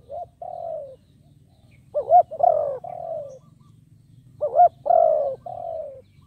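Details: Spotted dove kept as a decoy bird, calling to lure wild doves; phrases of short rising notes followed by a long, slightly descending coo, repeated twice, with a fainter answering dove audible.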